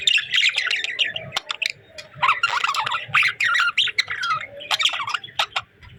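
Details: Chattering budgies, cheerful pet parakeets: busy, scratchy warbling and squawky chirps in dense runs, easing into scattered sharp notes before resuming.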